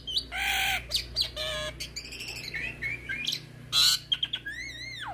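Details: Hybrid starling (jalak hybrid) song aimed at teaching magpie-robins and kacer birds: loud harsh squawking bursts, buzzy rattles and rapid trills, ending in wavering whistled phrases; steady low hum throughout.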